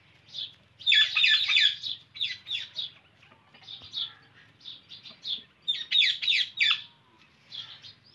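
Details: An Indian ringneck parrot calls in loud rasping bursts, a dense run near the start and another later, with quieter single squawks in between and a low hum behind.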